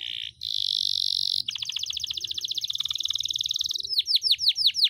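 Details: Caged canary singing long, continuous rolling song used to tutor other songbirds: a steady high buzzing tone, then a rapid rattling trill, ending in loud descending whistled sweeps.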